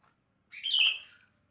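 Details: One loud, slurred, bubbling whistled phrase, about half a second long, from a sooty-headed bulbul singing in the morning.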